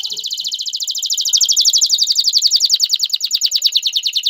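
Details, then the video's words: Male canary, singing to stimulate a female toward mating and nest building, holds a long rapid rolling trill of closely packed notes that grows louder and stays even throughout. "اقوى تغريد ذكر الكناري لتجهيز انثى الكناري للتزاوج و تحفّزها على بناء العش CANTO CANÁRIO"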